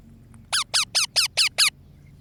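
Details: Baby parrot feeling cold: one faint click, then six clear, high squeaky calls falling in pitch, evenly repeated about five times a second, over a soft low background hum.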